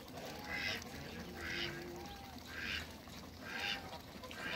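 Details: Toulouse geese, three of them, kept on a farm with three Muscovy ducks and meeting them. Four harsh, noisy honks spaced about a second apart over a low rumble of background noise.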